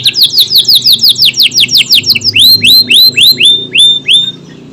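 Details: Energetic canary song: quick series of high, descending slurred notes, shifting to slower upward-curving whistles repeated about three times a second.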